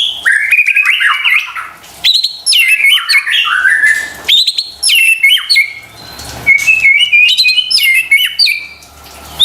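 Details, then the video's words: White-rumped shama song played to provoke stressed or silent caged shamas: dense, high, varied phrases of chirps, trills and stepped whistles, in several bursts separated by short gaps. "PANCINGAN murai batu STRES dan MALAS BUNYI seketika LANGSUNG nyaut dan GACOR dengar suara INI"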